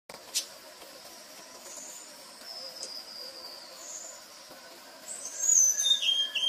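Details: Rufous-breasted flycatcher (named Leptopogon rufipectus): thin, high whistled notes, faint at first, then a louder burst of sharp, slurred whistles near the end, over a soft background hiss.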